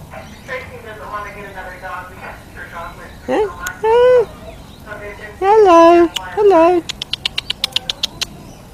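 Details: Butcherbird singing for its dinner, calling out for food near a man. After a man's talk come rich, rising and sustained fluted whistles with harmonics, then a quick run of sharp clicks at the end.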